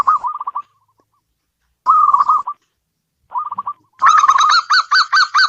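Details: Local zebra dove kept inside a home, thought to bring good fortune: short clusters of fast low coos separated by pauses, ending in a louder, ringing stuttered sequence.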